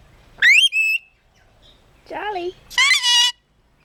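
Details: Pet Red-collared Lorikeet mimicking: a rising whistled note, then a short held tone, a wavering falling cat-like meow, and a harsh, buzzy, drawn-out squawk. It reportedly says 'bless you' after sneezing and imitates a cat. Quiet indoor setting.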